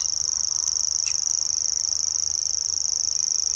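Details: Continuous high mechanical reeling of a grasshopper warbler, recorded at RSPB Middleton on 17 May 2021. The even, rapid trill runs without pause, with a short faint chirp from another bird partway through.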